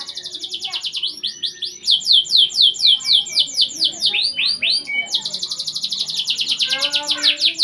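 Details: Domestic canary singing prolifically, a lure recording meant to prompt canaries that have stopped singing; fast runs of bright, repeated rising notes, with rolling trills and a few downslurred whistles, then a long quick trill near the end.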